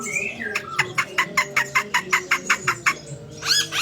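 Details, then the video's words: Chinese hwamei singing with murai phrases: a rising whistle, then a rapid rhythmic series of about fourteen sharp clipped notes, ending in a high slurred phrase. "Poksay Hongkong gacor super"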